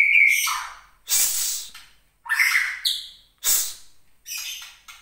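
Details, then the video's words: Captive white-rumped shama of Gunung Leuser stock in Aceh, its angry song drawn out by teasing. Harsh rasping bursts repeat about every second, mixed with a short whistle and high buzzy notes. "MURAI BATU GUNUNG LEUSER"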